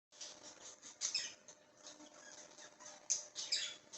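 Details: Baby budgerigars, recorded on 4 September 2022, give a steady stream of high, scratchy chirps and raspy squeaks.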